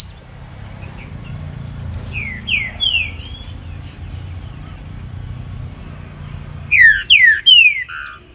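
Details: Baruc song of the green-winged saltator, called trinca-ferro, heard in the morning: faint downslurred whistles early, then three loud clear whistles in a quick falling sequence, over steady low background noise.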